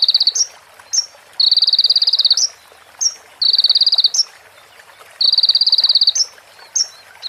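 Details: Sunbird with female prenjak and ciblek fill-ins for tutoring other birds: high buzzy trill bursts of about one second, each ending in an upslur, alternating with sharp rising single chips.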